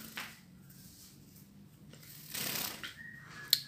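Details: Quiet indoor handling noises: soft rustling and shuffling, a louder hissing rustle mid-way, and a sharp click near the end. No animal voice is heard.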